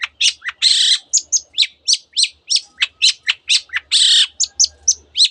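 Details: Cendet (long-tailed shrike) in full mimicking song with canary and other borrowed phrases; quick high chirps alternate with loud harsh buzzy bursts, notes tumbling several per second with a faint low hum beneath.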